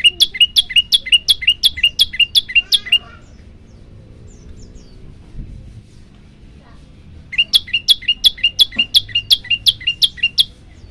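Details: Two rapid bursts of about ten sharp, rising chirps each from a prenjak lumut prinia, separated by four seconds of quiet low background noise, in a chatty 'tembakan' variation style.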